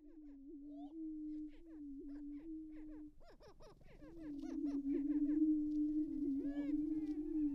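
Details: Greater prairie-chickens at a lek in restored prairie at Tympanuchus WMA, northwest Minnesota, April 2019, males facing off at dawn; a steady low hooting drone runs throughout, overlaid by rising and falling cackling whoops that thicken after mid-clip.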